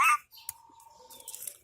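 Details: A domestic parrot gives one brief, loud, harsh squawk, followed by a faint, steady whistled tone and near silence.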